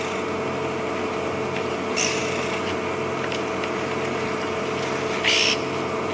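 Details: A bearded woodpecker (Chloropicus namaquus) drums territorially on a hollow tree nearby at sunset on an afternoon safari drive at Djuma Game Reserve on 28 May 2015. Two short, sharp rolls come a few seconds apart over an idling vehicle engine.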